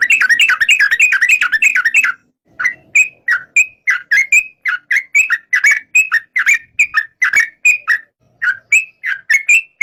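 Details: Yellow-vented bulbul (trucuk): about two seconds of fast, warbling chatter, then a long sequence of spaced, clear whistled slurs, some rising and some falling, at a slightly uneven pace.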